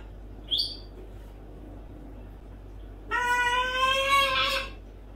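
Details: Pet parrot during its morning chatter, singing a SpongeBob song: one brief high chirp, then after a pause a long, steady, tonal sung note that rises slightly in pitch, lasting about a second and a half, in a quiet room.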